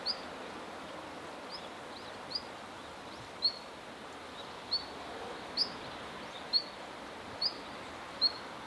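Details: Siberian long-tailed rosefinch calling in a park, a series of about ten sharp, high, thin whistled notes repeated roughly every second, some slightly louder, over quiet background hiss.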